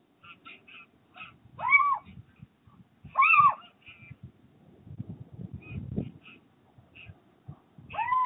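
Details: Little owls mating on a roof ridge, 29 January 2023, give drawn-out squealing whines with bright overtones every second or so, mixed with short high chirping notes over low rustling.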